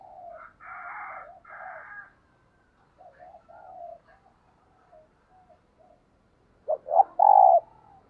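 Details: Kept decoy spotted dove giving the thúc gù cooing style used to lure wild doves: low, soft coos with a burst of phrases early on, quieter notes mid-clip, then a loud clipped coo sequence near the end, in quiet surroundings.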